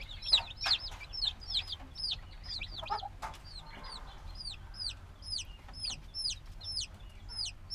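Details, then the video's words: Several black baby chickens, a few days old and still wanting their mother's warmth, cheep in quick falling whistles that overlap at first, then settle into a steady run of single peeps; a few dull taps in the background. "Baby Chicken Sounds - Baby Chicken Chirping Noises"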